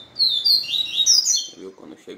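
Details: Papa-capim (Yellow-bellied Seedeater) singing the 'Israel' song style, stirred up after a day with a female; a fast, twittering, high-pitched warble lasts about a second, then fades into a man's low voice speaking nearby.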